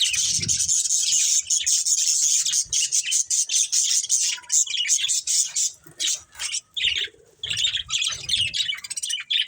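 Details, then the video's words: Budgerigar breeding pair in steady rapid chatter, high scratchy twitters and whistles running densely at first, then breaking into choppier bursts in the second half, with occasional low rustles. "Cute Budgies Chirping Sounds"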